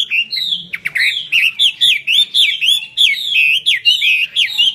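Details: 'Hót xòe' song of a Chinese hwamei displaying with spread eagle-like wings: clear, loud whistled notes in quick, bouncing, looping phrases, each note curling up then down, delivered almost without pause.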